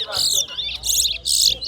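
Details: Towa towa singing in a bird singing competition. It gives three loud, high, buzzy bursts of rapid twittering, each about a third of a second long, separated by short gaps. Faint talk sits in the background.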